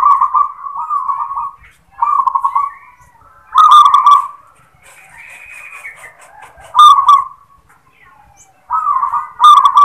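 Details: Local zebra dove repeating its "klar ketek kuk" song, which starts with "klar": several stuttered, rolling coo phrases at even pitch separated by short pauses, plus a softer higher warble midway.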